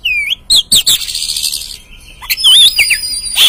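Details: Oriental magpie-robin lure song for provoking an untrained caged bird: loud, high rising-and-falling whistles mixed with buzzy notes and a thin, sustained tone running underneath.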